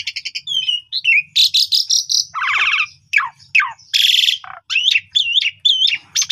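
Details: Afternoon song of an actively singing Asian pied starling, meant as a master recording for young birds: fast chattering notes, rich buzzy bands, downslurred whistles and a closing run of repeated wavering whistled phrases.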